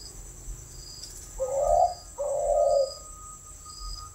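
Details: Spotted dove in a keeper's care uttering two drawn-out, soft hollow coos back to back, the second slightly longer, against a thin background hum and faint insect chirring.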